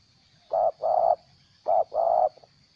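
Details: Stuttering call of a spotted dove decoy bird that is moulting its tail: two paired phrases, each a brief low coo and then a longer, even, hollow coo, about a second apart, with a steady faint hiss behind.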